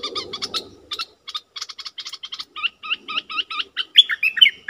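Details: Decoy bulbul calling to wild birds: a string of clipped, evenly spaced notes speeding into hooked, slurred whistles, ending in louder rich warbled phrases, with soft low noise at the start.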